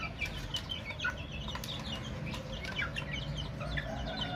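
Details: Baby chicks chirping busily, repeated short downward-sweeping peeps from several birds overlapping, with brighter louder notes now and then over a low background hum.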